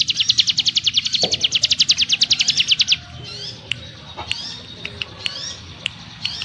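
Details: Sunda forktail (ciblek gunung) giving a rapid pulsed buzzy trill for about three seconds, followed by scattered sharp rising whistled notes and clicks spaced roughly a second apart against a faint low hum.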